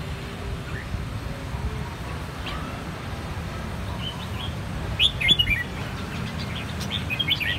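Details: Three red-whiskered bulbuls of the same brood, cheeks turning from white to red within one season, sing a clean bell-style song from one lineage; after faint notes, bright short whistled phrases burst out around five seconds over a steady low hum.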